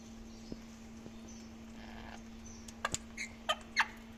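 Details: Parrots feeding on melon seeds: quiet rustling and faint clicks at first, then a quick burst of several loud, squeaky chirps close together near the end, over a constant low hum.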